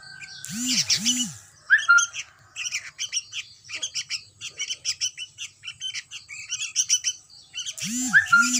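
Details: Sooty-headed bulbul chick giving a long series of rapid high chirps, with two low swooping tones at the start and again near the end.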